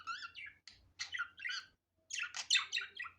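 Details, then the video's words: Budgerigar chatter in short bursts of rising and falling chirps, with a brief silence midway and then a louder, denser series of scratchy squeaks. "Muhabbet Kuşu Doğal Sesi"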